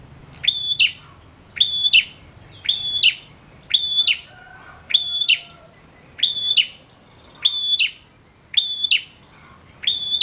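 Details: A persistent male prinia repeats its phrase nine times in steady rhythm, roughly every 1.1 seconds: sharp click, thin high whistle, buzzy snap. Played to coax silent prinias into singing.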